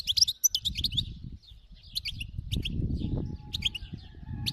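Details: Lively goldfinch song from a wild-type khalawi bird: fast tinkling twitters at the start, then spaced sharp chips and buzzy notes, with a steady low hum and a faint thin tone later.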